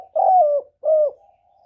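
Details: Spotted dove call used as a lure for trapping: two smooth, low, hollow coos, the first longer and slightly falling, the second shorter and dropping at its end, with a soft pause between them.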